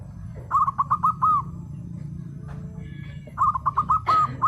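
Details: Local Indonesian zebra dove singing and answering: two short phrases of five or six rapid, staccato coo notes, the second ending with a sharp click, amid quiet low rumble.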